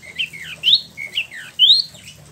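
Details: Caged spot-throated babbler, known in Indonesia as Wambi Mini, imported from mainland China and Vietnam and kept in Bandung, West Java, after moult: short whistled notes, some rising and some falling, in quick pairs, with quiet hum behind.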